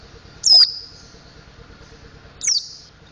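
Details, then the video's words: Mountain white-eye, likely caged, learning to sing its ngriwik and ngeplong styles: two very high, thin descending whistled notes about two seconds apart, each trailing into a short buzzy tail, over low steady background hum. "Burung Pleci Montanus Belajar Ngriwik Ngeplong"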